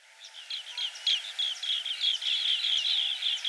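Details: Asian green bee-eater at Karjat Waters, India, giving rapid high chirping trills of short, clipped notes, about three to four per second, over a steady low hum of background noise outdoors.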